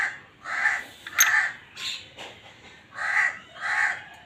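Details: Black francolin (kala teetar) breeding call: harsh, grating, buzzy notes given in short irregular bursts, with a louder rasping cluster near the middle and a final pair of strong notes, over a quiet background.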